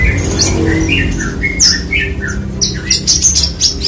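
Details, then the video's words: Parva Horsfield's bushlark, a tutor bird, sings separate slurred whistles and chirps at first, then quicker high buzzy trills and sharp notes toward the end, with low background hum throughout. "BURUNG BRANJANGAN PARVA !!"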